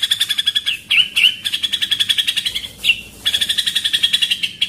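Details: White-rumped shama training song in the pastol style, a rapid rolling 'tembakan' rhythm of sharp clicking chips, almost four per second, broken by a few short gaps and upward-flicking whistled notes.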